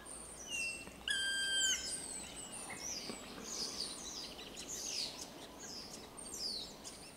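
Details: Black woodpecker recorded 3 April 2022, giving a loud, ringing call with a rich, nasal tone lasting about half a second, while thin, high songs of small birds continue in the background.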